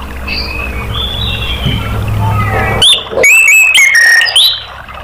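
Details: Orange-headed thrush singing as a lure to prompt other caged birds: faint distant whistles at first, then a loud burst of sharp, varied whistled notes, including ringing high tones and falling slurs.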